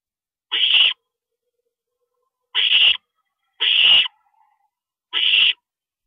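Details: Owls at a nest at night, April 22, 2012, as a parent stops by; four rasping, breathy screeches sounding at uneven intervals against a quiet background.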